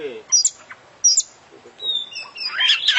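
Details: Champion oriental magpie-robin singing with isian phrases. Two sharp, very high whistles come first, then drawn-out level whistles and a burst of scratchy, jumbled warbling.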